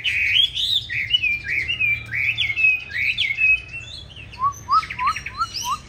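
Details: Chinese hwamei of the green-bean-eye variety giving its competitive fighting song, used to train other hwamei to sing a smooth, gentle song; loud rising whistled phrases tumble together, then four short low upslurred notes close the passage.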